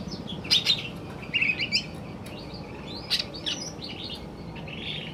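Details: Male greater green leafbird singing in the afternoon: bright, clear whistled and chirping phrases high in pitch, delivered in short bursts with brief gaps, against a low background hum.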